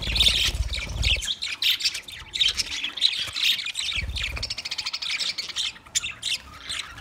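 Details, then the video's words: Budgies from twenty pairs chirp and squawk in repeated bright bursts, a busy flock chorus over low bumps at the start and around the fourth second. "20 Budgie pairs chirping sounds | Beautiful parrot singing"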